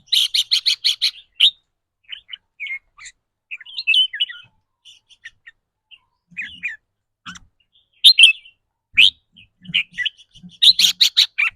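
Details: Red-whiskered bulbul kept as a cage bird, delivering the rapid 'rik rua' trill, described as varying with its daily mood: fast runs of bright, high chirps opening and closing the passage, with looser twittering phrases and brief gaps between.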